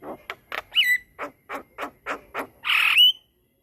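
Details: Black-winged myna in long rolling song for training other myna birds: a row of evenly spaced rough chuck notes, a short slurred whistle, ending in a loud harsh buzzy burst.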